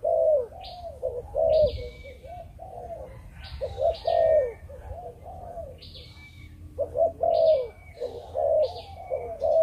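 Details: Spotted dove of Malaysian breeding stock giving the cooing style called chụp chụp ô: low, hollow coos in short grouped phrases, repeated several times, with higher sharp chirps from other birds between phrases.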